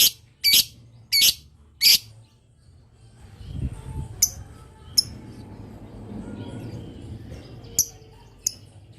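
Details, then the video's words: Long-chatter lovebird calling to draw replies from other lovebirds: four loud, raspy squawks in quick succession, then quieter, scattered high chirps over low rumbling noise. "Suara burung Lovebird Ngetik Panjang Bikin Lovebird Dimana Saja Auto Nyaut"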